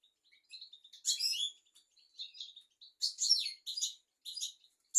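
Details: European goldfinch song used as a tutor recording for teaching young goldfinches and canaries: varied high tinkling twitters and short buzzy notes, with a louder burst near one second and lively clustered phrases in the second half.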